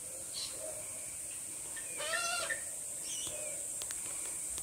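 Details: Young Australian magpie, a juvenile learning to sing, calls out for its parent after the adults flew off. A short burst of harmonic, slightly rising notes sits among fainter scattered chirps, over a steady high hiss.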